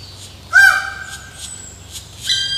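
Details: Black woodpecker in the wild during the season of raising young: one loud, drawn-out plaintive note with rich harmonics that falls slightly as it fades, followed near the end by a brief higher note.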